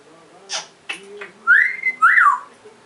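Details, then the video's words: African grey parrot giving brief soft calls, then two loud whistled notes: the first rises and holds level, the second rises and falls, in a quiet room. "African Grey Parrot"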